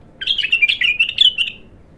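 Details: Raw bulbul making its first attempt at song: a lively run of chirpy, warbling notes, each slightly falling, strung together over about a second and a quarter, then trailing off; low steady background hum.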